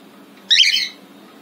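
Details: Cockatiel enjoying itself on a balcony gives a single harsh, grating squawk about a third of a second long, rough and noisy in the upper register, over a quiet low background hum.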